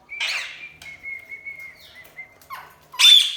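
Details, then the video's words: Loud parrot calling: a harsh burst, then a long, steady, thin whistled tone with slight wavering lasting over a second, ending in a sudden loud rasping squawk. "Loud parrot chirping sound| parrot calling sound | parrot natural sound"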